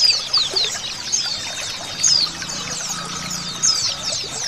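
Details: Many Oriental white-eyes singing together, mixed with a female's call, used to get males singing and in breeding condition; thin, high, quickly descending twitters and trills overlap in busy clusters, with a faint low hum beneath.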